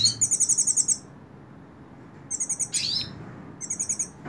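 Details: Hooded siskin in the hand: a quick run of about eight evenly repeated high notes, silence, then a rising whistled sweep and further short repeated-note bursts.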